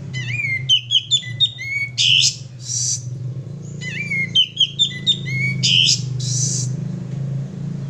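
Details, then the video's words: Male sooty-headed bulbul song meant as a lure: two similar phrases of quick whistled, bouncing notes each ending in a buzzy high burst, about four seconds apart, over a low humming background. "suara pancingan burung kapas tembak jantan gacor"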